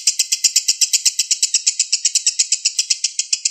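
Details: Lovebird from Indonesia singing in the konslet style, used as a lure song: a fast unbroken run of high, dry, chattering notes, about four per second, steady and even, with no other sounds.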